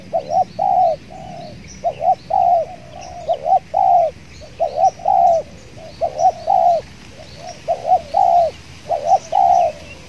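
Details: Spotted doves cooing steadily at a decoy trapping site with an aggressive wild tekukur present: about eight two-part coo phrases in ten seconds, and small birds chirping in the background.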